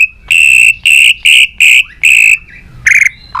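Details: White-rumped shama, a recording for stirring shamas to sing, with a run of six loud, steady, harmonic whistled notes of even length, then a buzzy burst and a final low note.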